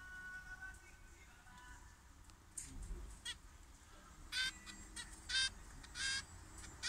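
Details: Zebra finches in an aviary at 6:30 am breakfast, cool weather with a gentle breeze; faint background until a few loud, stacked nasal calls arrive in short bursts over the last three seconds.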